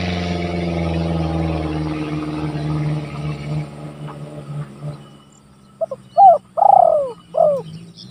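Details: Spotted dove calling rivals, a recording used as a lure for trapping and as a training tape for other doves; a low droning hum fills the first half, then one cooing phrase of short notes, a long swelling coo and a falling note.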